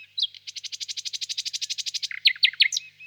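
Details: Common nightingale singing: a long fast train of about twenty even ticking notes, then several loud sharp downslurred whistles and a brief low whistle; no other sounds.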